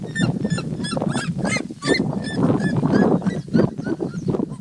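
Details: Red-legged seriemas, three together, sing while taking the sun in the wild; sharp yelping notes pour out in fast overlapping runs, some rising and strained, above a persistent low-pitched background rumble.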